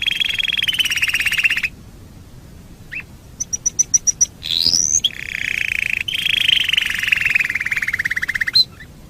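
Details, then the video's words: Canary master song for tutoring other birds: an even trill, a pause, rapid high clicks, a sweeping rising whistle, then a long trill that slowly falls in pitch. "Masteran Suara Kenari"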